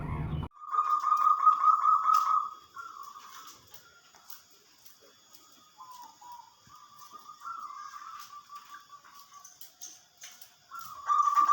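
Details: Zebra dove song, played to stir lazy doves of every type into singing: a loud, fast, buzzy trill held steady for about two seconds, then quieter broken trilled phrases at slightly shifting pitch, ending in another strong trill.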